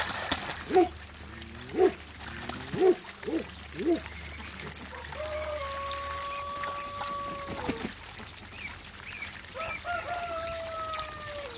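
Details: Backyard hybrid ducks from a Mallard and Pekin cross, two males and a female: five short rasping quacks in the first four seconds, then long level squealing tones and softer sounds in the background.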